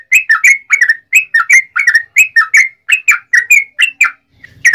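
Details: Sooty-headed bulbul delivering a long lure song to make other bulbuls sing: regular groups of two or three liquid, wavering chirps in an even, lively rhythm, ending with a fresh burst.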